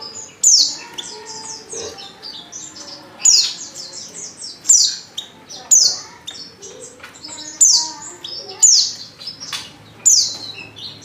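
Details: Oriental white-eye female call, used to coax males into singing; loud high downslurred chirps every one to two seconds, each followed by softer twittering notes.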